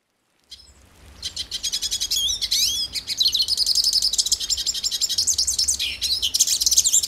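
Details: Hooded siskin, a Brazilian bird, singing a long, rapid twittering song high in pitch, fast chirps mixed with rising and falling whistled slurs, starting after half a second of silence and running without pause to the end.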